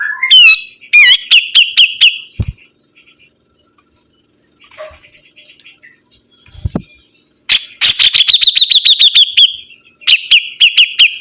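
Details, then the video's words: Energetic sibuntung bird song: bursts of rapid, sharp, high chipping trills, each lasting a second or two, broken by short pauses and faint soft notes. Occasional low thumps are heard. "BURUNG SIBUNTUNG GACOR"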